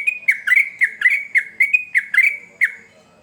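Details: Male sooty-headed bulbul singing energetically, a chain of brief liquid whistled warbles, each slurring down then up, given about twice a second before trailing off.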